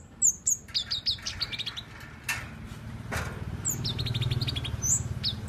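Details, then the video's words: Tame, actively singing kept flowerpecker giving thin, very high chirps and short downslurred notes, some in quick rattling runs, over a steady low hum and a few soft thuds. "Cabe cabean Gacor Jinak"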